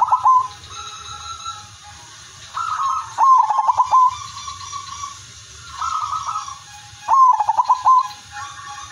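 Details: Zebra dove (perkutut) of the Udanmas Silver line, singing actively with a melodious rhythm, used as a lure to set other doves singing; soft cooing phrases ending in rolling, stuttered notes, repeated about every four seconds over a faint low hum.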